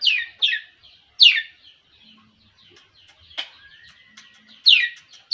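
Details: Long-tailed shrike giving scattered loud, harsh, downslurred rasping notes separated by quiet gaps, with a faint, thin rising whistle in between.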